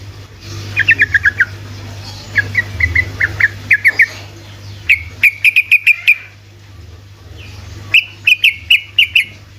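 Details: Sooty-headed bulbul singing 'ropelan' bursts to trigger lazy bulbuls into song: clusters of five or six quick, descending whistled notes separated by short silences, the later bursts sharper and more even, with a soft low hum beneath.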